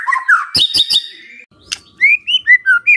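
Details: White-rumped shama singing as a lure for other shamas: warbled whistles with harsh clicks, a short pause, then four separate upslurred clear whistles.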